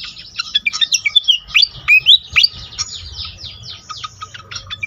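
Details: A pied fantail song used to stimulate other fantails, made of loud upslurred squeaky notes that give way to a fast run of short ticking chirps, with low background rumble.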